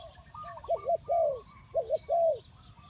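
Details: Spotted dove used as a decoy for bird trapping, giving low, husky cooing notes in two paired phrases, each note gently rising then falling, with faint higher bird chirps in the background.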